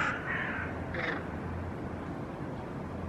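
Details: Hooded crows flying close to a young ringed northern goshawk perched on a rooftop railing, calling to intimidate it; a few harsh, hoarse caws in quick succession at the start, then steady broadband wind or traffic noise.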